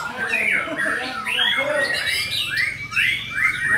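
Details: White-rumped shama singing gacor style: a dense run of clear whistled sweeps and warbles, rising and falling, with a long steady high note held through the second half.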